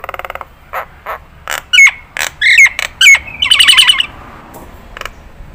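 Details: Nias hill myna from a song-training recording: scattered harsh chatter and three bright downslurred whistles, then a fast rolling trill of whistled notes that fades out.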